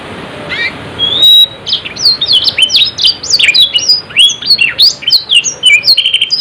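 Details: A canary sings vigorously in the rolling, high-shooting style called ngerol nembak: a fast, varied stream of bright upward and downward whistled slurs and trills that continues without pause.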